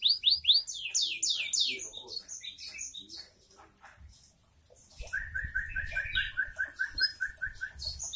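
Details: Canary, called kenari, singing busily: rapid descending sweeping trills at the start, a pause, then a long steady string of evenly repeated short notes, with faint background noise.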